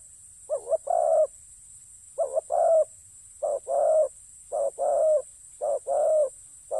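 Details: Spotted dove used as a ground decoy, giving low cooing phrases: a short double coo followed by a longer, slightly falling croo, repeated about once a second with brief pauses. The background is quiet with a steady high hiss.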